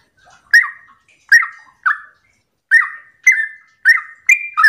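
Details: Yellow-vented bulbul singing its 'ropel' song in the morning, as a lure for other bulbuls to answer; spaced, liquid chirps that slur downward, three notes, a pause, then four closer together.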